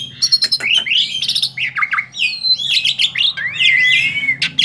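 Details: Tame male black-winged starling singing steadily: a dense jumble of harsh squawks, buzzy rasps and clear whistles, with rising and falling slurred notes and a long descending whistle near the end, over a low background hum.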